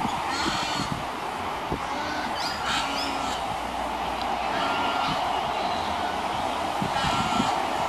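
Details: White ibis adults and chicks at nests, 15 November 2015, fill the air with overlapping nasal, honking grunts in rapid succession, over a steady hum of background noise.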